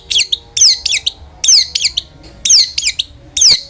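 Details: Vigorous long-tailed shrike song used to make other shrikes sing: piercing high down-slurred whistles followed by harsh, scratchy notes, grouped into short bursts about once a second.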